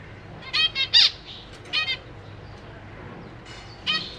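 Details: Caged zebra finches, a pair with juveniles and new fledglings; loud nasal harmonic calls in quick pairs, a brief pause, then another burst, over soft background hum.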